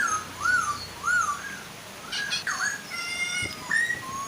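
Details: Chinese hwamei pair, female and male, whose singing is meant to prompt other hwamei to sing; looping, rising-and-falling whistles alternate with brief harsh notes and high thin tones, backed by gentle falling water.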